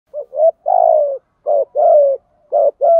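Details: Spotted dove, cock and hen trainer call, repeated low cooing phrases near 500–700, each a short coo then a longer drawn-out throaty note, pairs recurring about every second, clean background.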